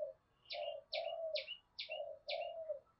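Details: Spotted dove call used to lure and stir wild doves into cooing: low, soft hooting coos in a broken series, with short sharp high chirps from another bird repeating about every half second over faint background hiss.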